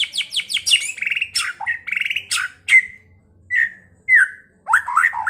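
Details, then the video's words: White-rumped shama song played as a lure to provoke other shamas to fight and sing: rapid descending chirps, buzzy rattling trills, then clear slurred whistles and falling notes, loud and varied, with faint low clicking beneath. "Pancingan MURAI BATU agar cepat EMOSI dengan suara burung ini"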